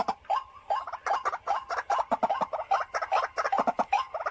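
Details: Caged decoy white-breasted waterhen produces steady rapid croaking, short rough notes several per second, with little pause over the whole stretch.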